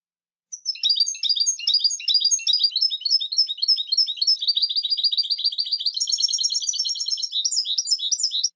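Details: European goldfinch singing a continuous, fast twittering song of tinkling, buzzy notes and trills, high-pitched and unbroken for about eight seconds, with no other sounds.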